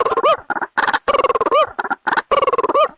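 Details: White-breasted waterhen calling in a trapping lure: clear, hoarse notes each end in an upward hook, alternating with short choppy pulses in a repeated pattern about every second.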